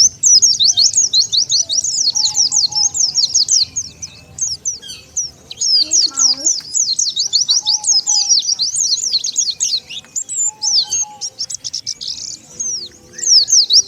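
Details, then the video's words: Oriental white-eye used as a lure for wild birds, calling in long streams of quick, high, thin chirps with brief gaps, over faint lower whistles and a background hum. "SUARA PIKAT BURUNG PLECI"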